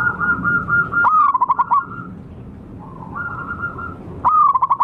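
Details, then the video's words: Wild zebra dove used as a lure: quick trills of pulsed coos that fall a little in pitch and come twice, over a steady hum of distant dove cooing. "suara pancingan dan pikat burung perkutut liar lokal"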